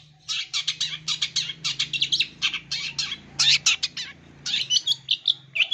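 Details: Long-tailed shrike used as a lure for wild-caught young birds, a dense chattering run of harsh buzzy notes and rapid chirps, with sharp whistled accents near the end and short gaps between bursts.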